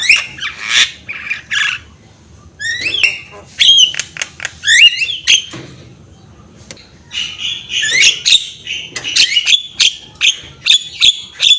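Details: Energetic Javan myna song meant as a tutor recording for training other birds: clustered harsh squawks, clicks and rising whistled notes in rapid bursts with brief gaps, growing denser toward the end.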